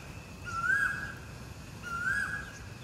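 An Oriental magpie-robin gives two clear, slightly rising whistled notes about a second and a half apart, over a low steady rumble.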